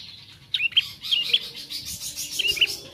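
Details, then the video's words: A bar-winged prinia youngster tries out its song with a few high, thin chirps and short whistled notes, partly blurred by a hissy wash of background noise. "Prenjak Anakan/Trotol Belajar Bunyi"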